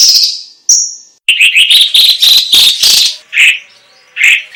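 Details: Chinese leafbird, a cage bird kept for song training, in lively chattering song: a sustained high whistle, then rapid varied chirps and harsh notes around four kilohertz, with buzzy phrases and short pauses between bursts.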